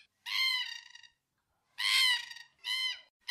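Black cockatoo giving three harsh, drawn-out, wailing squawks, each under a second long and roughly a second apart, with nothing else heard.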